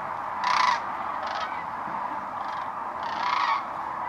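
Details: Cranes landing at a distance near Wood River in March, heard from a blind: two strong rattling calls stand out at the start and end, with fainter calls between, over a constant murmur of a large crane flock.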